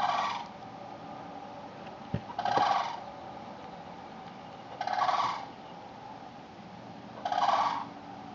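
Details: Cranes in a backyard on September 8, 2013, uttering loud rolling, bugling calls in bursts of about half a second, repeated roughly every two and a half seconds, four bursts in all, with faint background hiss and a click.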